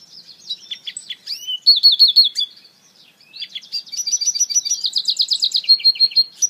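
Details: African citril hybrid (mule) sings a high, fast finch song of chattering notes, buzzy trills and rapid rolling phrases, in two bursts split by a brief pause.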